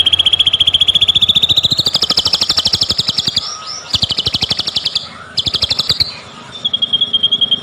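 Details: Fast, rattling song from a white-rumped shama lure intended to excite others into singing: dense pulsed notes rising in pitch, broken by short gaps, ending in a softer high whistle.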